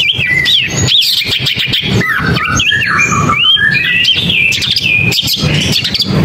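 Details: Long-tailed shrike singing a fast, varied run of high whistled notes, with sharp rising and falling slurs and short trills, over a steady background of clicking and rustling noise.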